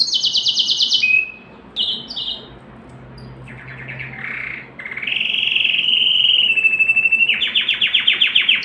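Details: Canary singing to stimulate females to mate, with varied phrases: high rolled trills, short chirps, a quieter buzzy stretch, then a long steady whistle and a loud rapid roll.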